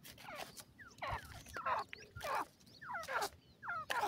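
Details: Francolin talking to its chicks: sliding, falling whistled notes mixed with harsh rasping bursts, about one phrase every half second, with a low knock near the start.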